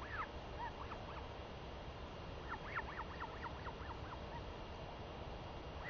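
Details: Northern royal albatross chick, a female, begging her mother for food as the parent returns after seven days away at sea, recorded 23 May 2021; quick bursts of short arched chirps, fairly faint over steady rushing background noise.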